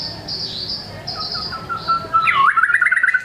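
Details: White-rumped shama giving thin high whistles over a soft run of repeated notes, ending in a loud burst of quick warbled trills.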